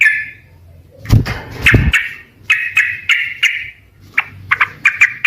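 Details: Yellow-vented bulbul in lively song, original recording: a short warble, then a loud low thumping knock, followed by a run of quick bubbly chirped phrases.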